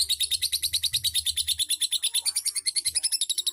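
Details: Lovebird giving a rapid, steady ticking chatter in the ngetik ngekek style, with high sharp notes repeated several times a second and soft low thuds in the background.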